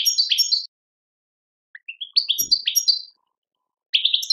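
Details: European goldfinch from Algeria singing in the tadmait style: short bursts of bright twittering, rising chirps and trills, with pauses of over a second between phrases.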